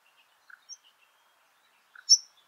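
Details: Two fledgling White-plumed Honeyeaters begging at Laratinga Wetlands, South Australia, on 9 January 2021. Sparse, thin, high-pitched chirps come in scattered pairs, ending in one sharper, louder squeaky note over a quiet background.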